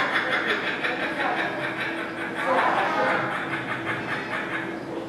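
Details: A kookaburra at the Toronto Zoo gives a rapid, rhythmic chuckling cackle of about three pulses a second, rising and swelling midway, over a steady low background hum.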